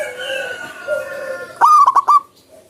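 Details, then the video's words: Zebra dove singing freely in the wild: a short, loud cluster of rapid stuttered cooing notes near the end. It follows a stretch of faint, drawn-out whistles from other birds in the background. "PERKUTUT GACOR SUARA ALAM LIAR"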